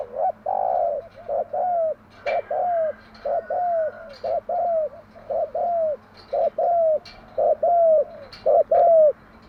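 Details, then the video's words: Morning cooing of a spotted dove hen, played to stimulate decoy doves: a steady run of about sixteen short, falling coos, roughly two per second, with faint clicks. "Tiếng chim gáy bài bản gáy buổi sáng"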